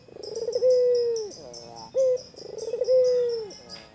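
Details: Two rounds from a white Barbary dove calling at a rival: rolling, stuttering coos swell into a long sustained hoot that sags at the close, with a brief sharp coo between rounds and faint twittering in the background.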